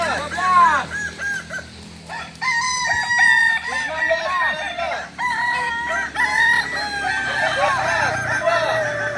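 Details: At a joint training meet in Solok, Kokok Balenggek roosters give drawn-out crows broken into many wavering syllables, several birds answering and overlapping throughout, over a low background hum.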